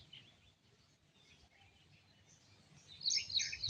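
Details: Birds chirping in the morning at sunrise: faint, scattered high twitters over a low background rumble, then a brighter, louder burst of quick chirps near the end.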